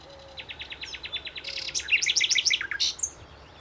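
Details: Common Nightingale, an ever-present singer on the plateaus of central Spain between Aragon and Extremadura: a steady series of repeated clicking notes speeding into a loud, fast, rich rattling phrase, with faint low whistling birds behind.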